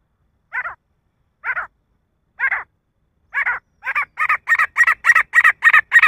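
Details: Male grey francolin calling: harsh, raspy notes at first spaced about a second apart, then speeding up into a rapid, louder run of paired notes roughly three per second; no other sounds.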